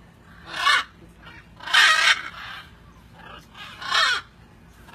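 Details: Macaws at feeding time give three loud, harsh, raspy squawks about a second apart, each broad and grating, with quieter calls between.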